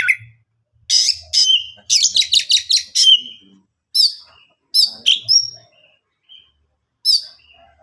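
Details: Oriental magpie-robin singing to draw answers from other birds: a sharp chirp, then a rapid volley of repeated downslurred whistled notes, followed by spaced single upswept chirps, with a faint low hum underneath.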